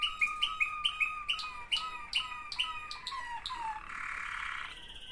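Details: Waterslager canary, one of two siblings, singing a series of clear repeated notes about every quarter second that slowly fall in pitch, ending in a dense rolling warble.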